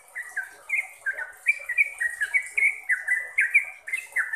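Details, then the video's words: Sooty-headed bulbul song in the trucukan style, used to coach caged birds: dense series of sweet whistled notes, alternating rising and falling slurs, continuous and lively throughout. "BANYAK Trucuk yang jadi GACOR dan ROPEL berkat suara TRUCUKAN ini"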